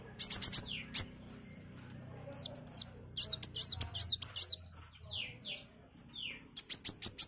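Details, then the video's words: Caged sunbird song used as a tutor recording for training other songbirds: very high, thin rapid chips, then sweet looping whistled phrases and sharp descending slurs, ending in another burst of fast high chips. "MASTERAN KOWUL GACOR || KOLIBRI WULUNG, KOLIBRI WAYANG"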